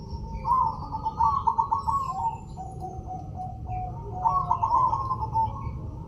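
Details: A white red-eyed zebra dove sings two bursts of quick, stuttering trilled coos followed by drawn-out lower notes, with steady low rumble in the background.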